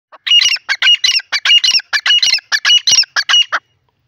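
A yellow francolin gives a rapid run of harsh, grating squawks, about a dozen scratchy bursts in under four seconds, loud and high-pitched against a quiet background.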